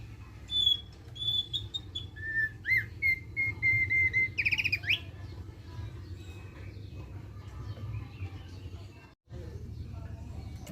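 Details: Thick-billed white-eye singing to prompt other birds into song, a phrase of high whistles dropping to steady repeated notes, then a burst of fast buzzy trilled notes, followed by several seconds of low background hum.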